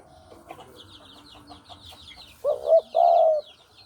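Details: Spotted dove cooing used as a lure for trapping: faint chirping and twittering of other small birds, then a clear double coo of a short rising note and a long steady purr.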